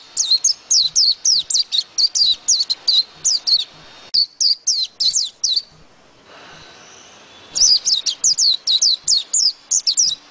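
A white-eye sings a fast, high, twittering run of tumbling notes, about four per second, breaking off briefly before resuming just as brightly.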